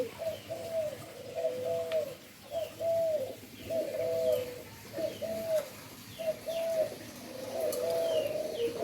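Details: Endemic dove kept for breeding in Indonesia repeats short, low, slurred coo phrases roughly every second, while small birds add thin descending chirps in the background.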